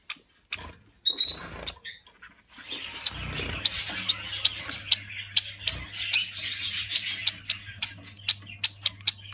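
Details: Society finches from a small, peaceful breeding colony give short, thin, high chirps about every half second, several birds overlapping, over a low steady mechanical hum.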